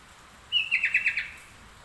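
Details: Sooty-headed bulbul singing in full voice with straw-headed bulbul (trucuk) phrases worked into its song: one short bubbly phrase of quick warbled notes, opening with a clear whistle then five rapid chirping pulses, over a quiet background.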